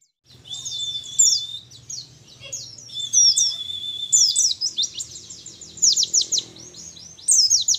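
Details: A young wild-caught mountain white-eye from Mount Ciremai, Majalengka, West Java, sings a high, rapid twitter of thin chirps, drawn-out trilled notes and quick falling whistles, running for about eight seconds over a faint low hum.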